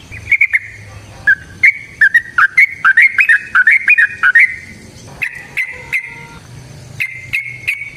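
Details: Yellow-vented bulbul (trucukan) giving a wild-style ropel panjang song meant to lure other bulbuls into singing; spaced whistled notes building into a quick warbling run, then separate short whistles.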